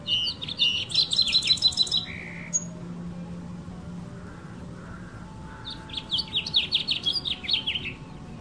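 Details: Male house finch singing to attract females, perched on a branch in a California backyard garden with other birds nearby. Two bright, high warbling bursts of quick chirps and slurred notes, separated by a few seconds of quiet.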